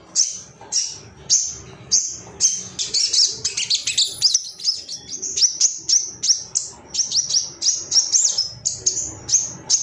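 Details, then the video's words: Male ruby-cheeked sunbird (sogon, sogok ontong), agitated and seeking rivals, recorded as training material to make caged birds sing: a steady series of thin, very high chirps, about two per second, breaking midway into a denser twittering burst. "MASTERAN SOGON AGAR CEPAT NGALAS GACOR ❗BAHAN TERAPI SOGOK ONTONG"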